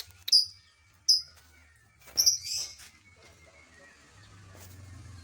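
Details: Lovebird calling to stir up rival lovebirds, giving three piercing high chirps in quick succession, then a rough scratchy note, over a steady low background rumble.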